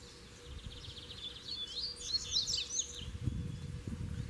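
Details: Free Double-collared seedeater in its home territory near a caged rival, giving a short, fast jumble of high twittering, sweeping notes over steady low rumble.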